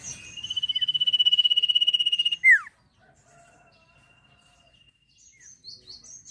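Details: Trilling sirpu, vocal and in full song, used for training songbirds: a long run of rapid high pulses at steady pitch closes with a loud falling slur, followed by faint thin whistles and brief chirps.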